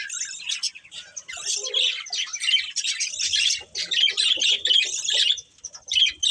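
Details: Budgies squawk and chirp in quick bursts, harsh scratchy notes mixed with thin whistled squeaks, pausing briefly before a final burst.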